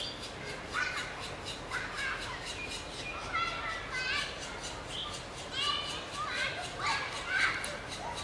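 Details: Black woodpecker chicks being fed by a parent beg with clustered bursts of harsh, chattering calls, a loud squabbling flurry roughly every second, against a soft background hiss.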